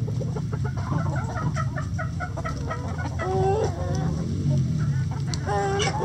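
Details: Chickens clucking in a coop, a busy run of short repeated clucks with a few drawn-out tonal notes, set against a low steady hum.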